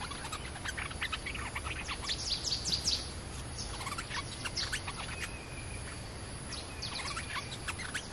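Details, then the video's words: A territorial streak-eared bulbul answering a lure recording in Thailand gives bursts of sharp, chirpy notes in quick irregular runs, against a steady hiss of insects and rural background noise. "Suara pikat merbah lekir gacor"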